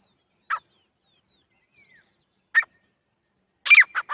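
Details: Female grey francolin giving two brief, isolated clipped notes two seconds apart, followed by a harsh, squealing cluster of quick notes near the end; a faint thin descending whistle appears early, otherwise quiet.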